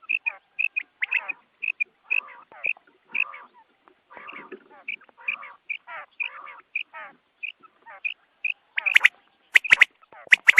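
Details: Quail at dawn for hunting: evenly spaced bright chirps trade with softer nasal, buzzy chattering phrases, then sharp clicks and louder chirps crowd together toward the end.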